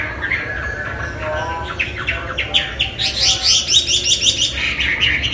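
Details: Chinese hwamei singing on a tutor recording for training murai, kacer and cendet songbirds; softer opening notes give way to a fast run of repeated, clipped whistled notes, roughly eight per second.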